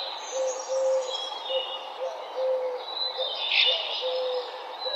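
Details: Morning birdsong in a park, with a low plain whistled note repeated every second or so beneath higher thin chirps and twitters, and one brighter chirp burst after three seconds.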